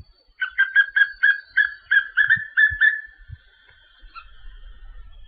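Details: Papinho-amarelo song: about a dozen loud whistled phrases delivered in quick succession over three seconds, each a short slurred note, then a quiet tail with faint low rumble.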